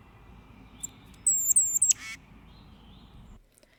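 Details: Tufted Titmouse in Saint Joseph or Elkhart County, Indiana, gives its scratchy nasal scolding call, used against other birds or predators: a quick run of four or five thin, very high notes ending in a harsh, nasal rasp, over faint background hiss.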